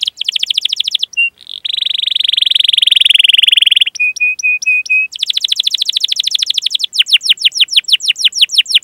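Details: Canary's varied rolling song, played to lure young canaries into singing: rapid trills alternate with a long buzzy note, a row of short flat whistles, and closing sweeping chirps, all high and clean.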